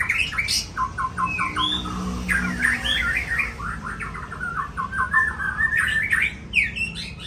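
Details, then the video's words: Aceh-type white-rumped shama song, rich and varied: sliding whistles, quick trilled runs and chattering phrases that flow almost without pause, with a faint low hum in the background. "Murai Aceh"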